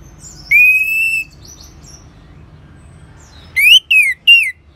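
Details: Orange-headed thrush song for training and prompting other birds: one long, level whistle, a quiet pause, then three loud, quick, down-slurred whistled notes in close succession.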